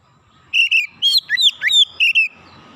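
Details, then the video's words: Oriental magpie-robin calling on a therapy chirping recording: a rapid string of about eight loud whistled notes, some warbling, others swooping sharply down and up, over a quiet background. "kicauan terapi Kacer memanggil"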